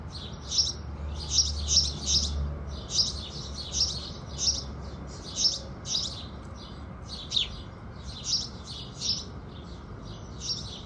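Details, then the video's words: House sparrows singing as the sun rises: dense, repeated shrill chirps, many overlapping birds, about one to two notes per second, with a gentle low background murmur. "Sparrows Singing"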